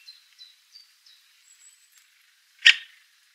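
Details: A three-toed woodpecker (Picoides tridactylus) gives one sharp, loud 'pik' note, preceded by a series of faint, thin, high whistles from small birds in the background.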